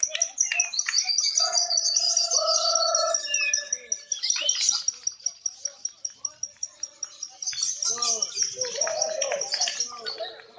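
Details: Lovebirds at a singing contest, judged on continuous chattering 'nyinyir' song, with flags awarded to the most actively vocal bird: shrill high twittering trills, a rapid run of sharp clicking chips midway, then more squeaky chatter, with people talking nearby.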